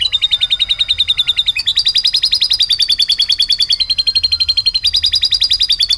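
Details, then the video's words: Canary singing a lovebird-style repertoire: a long, rapid rolling trill that changes pitch in abrupt steps every one to two seconds, with the notes staying dense and metallic. "kenari full materi love bird"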